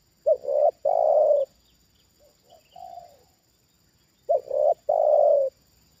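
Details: Decoy Spotted dove reacting to a wild bird lowered a second time: loud cooing phrases, a stuttered double note and a long full coo, bracketing quieter distant coos in between.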